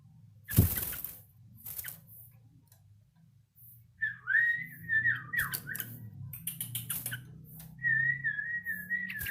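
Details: Yellow-vented bulbul learning its song: after a sharp knock, wavering whistled notes at a steady mid-high pitch dip and warble in loose phrases through the second half, mixed with clicks and knocks over a low indoor hum.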